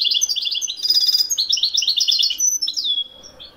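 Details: European goldfinch from Morocco delivering Wedani-style song: continuous rapid tinkling twitters with buzzy, rattling bursts, then slurred whistled notes before fading out.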